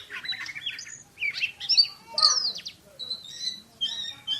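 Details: Competition kacer (Oriental magpie-robin) firing quick 'tembakan' phrases: harsh squawky notes, bright whistled sweeps and short chirps in tight succession.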